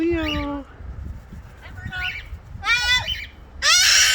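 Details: Pet parrots outdoors, squawking to let the neighbourhood know they are there. Several loud, harsh squawks with rising and falling tones come about a second apart, the last one very loud, over low background noise.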